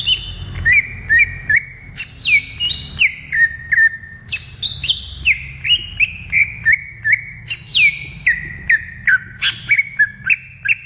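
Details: Greater green leafbird singing in the wild: a rapid, varied stream of loud whistled phrases, many sliding down from high to mid pitch, delivered almost continuously with short breaks, over a low rumbling background.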